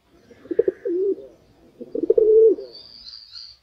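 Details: A domestic pigeon, a non-native bird of rural and urban areas in São Miguel do Iguaçu, Paraná, Brazil, gives two low, throaty rolling coos about a second apart; a thin, high whistle from another bird follows.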